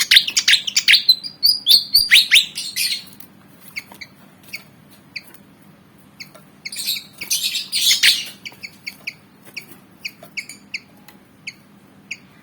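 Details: Javan fantail, a black-and-white bird about 19 cm, eager to fight, bursts out in harsh rattling squeals, then returns to spaced, sharp, bright chips.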